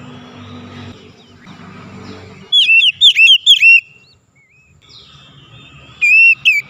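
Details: Oriental magpie-robin song played to coax a reluctant bird into singing: soft low rumble at first, then a rapid run of bright, curling whistled notes, a pause, and another short sweet phrase at the end.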